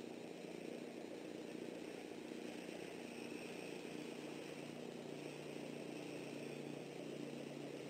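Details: Steady broadband hiss and low engine-like drone near an eagle nest in southwest Florida, continuous throughout with no distinct calls or other clear sounds.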